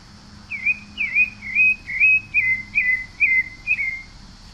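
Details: A steady series of eight brief slurred whistles from a Pale-breasted thrush, each note dipping and rising in pitch, delivered at a brisk even tempo over a quiet humming background.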